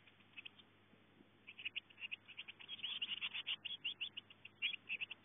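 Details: Nestling Eurasian blue tits on 24 May, apparently unsure whether the eldest chick or their mother is present, give dense runs of sharp high cheeping that build into a near-continuous chorus, with a faint low hum behind.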